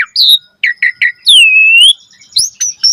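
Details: Vigorous, varied song of an Asian pied starling used as a singing lure: short whistles, three quick chips, a long dipping and rising whistled slur, then high bright notes.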